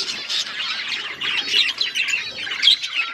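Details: Several budgerigars kept as pets chatter together, loud high warbling with quick squeaky chirps and whistles overlapping continuously.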